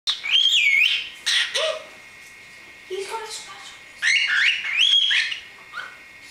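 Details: 3-month-old male pet cockatiel chatters in high, whistled, speech-like phrases imitating human words, such as "hello tiki bird", "tiki bird" and roughly "what you doing?"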